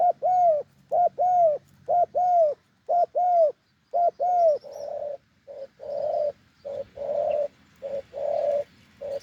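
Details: Wild spotted dove with a deep voice, cooing in an off-cue rhythm: paired arched coo notes repeated roughly once a second, then moving into longer, flatter, rolling coos of varying length.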